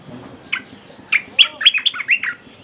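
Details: Olive-winged bulbul lure song: a lively phrase of about eight bubbly, warbling notes that speed up after two slower opening notes.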